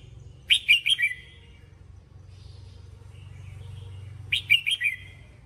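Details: Red-whiskered bulbul performing a training song: a rapid phrase of four or five loud, bright whistled notes, a pause with low hum, then the same warbling phrase repeated about four seconds later.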